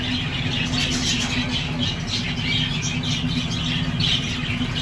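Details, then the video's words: Baby lovebirds in a nest in a cage give rapid, high, harsh chirps over and over through the whole stretch, with a steady low mechanical hum underneath. "Baby Love Birds in Nest || Lovebirds' Sounds Relaxation"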